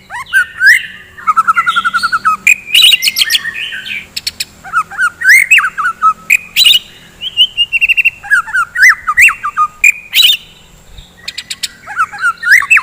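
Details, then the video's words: White-rumped shama in rich morning song meant to stimulate fighting birds: fast varied phrases of fluty whistles, upward sweeps, sharp clicks and rattling bursts, brief pauses between loud bursts, sustained over several seconds. "KICAUAN GACOR,, DI PAGI HARI,, MEMBANGKITKAN MURAI BATU GACOR FIGHTER"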